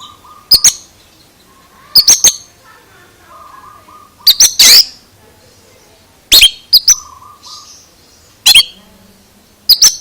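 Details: Oriental magpie-robin making an unusual sound: short, sharp high double and triple notes in loud bursts roughly every two seconds, separated by quiet gaps with a faint steady lower hum.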